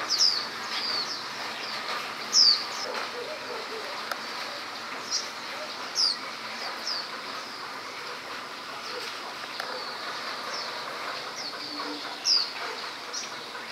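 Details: After rain, a foraging common tailorbird repeats loud, high, falling notes at irregular gaps of several seconds, with fainter bird notes and a constant hiss behind it.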